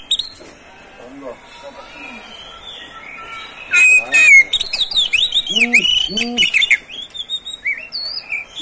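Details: Caged Oriental magpie-robin kept by its owner, song used to prompt other magpie-robins to sing; quiet start with faint notes, then from four seconds a loud burst of varied whistled slurs, rising and falling sweeps and sharp clicks.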